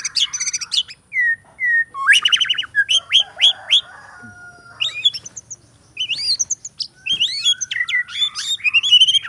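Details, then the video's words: Varied mimicry song of a caged white-rumped shama on an iron perch, a fighter-style contest bird: high rattling bursts, rising whistled slurs and fast stuttering chips packed together with short pauses, crisp and loud throughout, faint background hum. "Murai Batu Juara Gaya Sujud Bongkar Isian Cililin, Kenari Tembakan Gereja Tarung"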